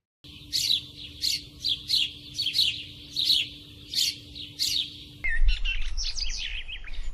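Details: Sparrows chirping at nest boxes put up in a border village in Madhugiri, playing with one another in the evening as they go to their nests; bright chirps repeated about every half second, then a cut to denser overlapping twittering.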